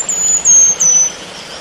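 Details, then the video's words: High, piercing whistled notes from a wild selendang biru bird, three linked segments each easing downward in pitch, against a soft hissing background. "Suara burung selendang biru di alam liar"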